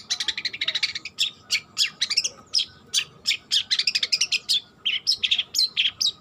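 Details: A young long-tailed shrike, still learning to sing, gives a steady stream of short harsh chirps and clipped notes in uneven bursts, several per second, over a faint background hum.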